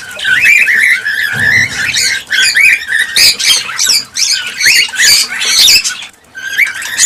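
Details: Cockatiel chorus for encouraging breeding: steady stream of warbled whistles and scratchy squawks from multiple birds, thinning briefly near the end before resuming.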